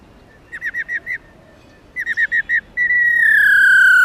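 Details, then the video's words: A female white-cheeked laughingthrush (lugens), kept to excite males into song, gives two quick runs of four to five looping whistled notes, followed by a loud, long, steady whistle that slowly falls in pitch. "Khướu Mái Ro Ro Kích Trống Căng Lửa Khướu Bạc Má Mái Ro , Tiếng Chim Khướu Bạc Má Mái"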